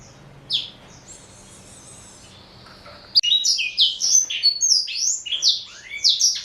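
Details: Male black-throated canary, a four-year-old caged Somerini x Botswana cross fed seeds and vegetables; after three seconds of near quiet, a rapid burst of high, sweet chirped notes sliding downward, delivered in a tumbling stream.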